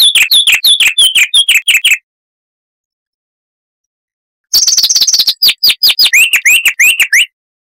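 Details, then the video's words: Chestnut-vented warbler of South Africa and nearby countries, a scrub and dry-riverbed bird with a loud, crystal-clear voice: a rapid burst of sharp downslurred chirps, a pause, then a faster trilled run ending in rising whistled slurs. "Masteran Burung Luar Negeri Suara Asli Kristal HD - Chestnut-vented Warbler (Sylvia Subcaerulea)"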